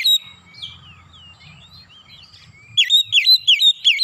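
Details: An Oriental magpie-robin sings nembak-style bongkar isian, unloading learned phrases: soft, thin, slurred whistles and scratchy notes lead into a sudden run of five loud, repeated, hooked whistled notes, with a low rumbling background.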